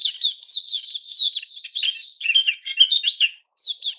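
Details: Caged white-crowned shama during its new-feather season, recorded 6 September 2021. Dense warbled phrases of slurred whistles and buzzy trills, with one short pause near the end.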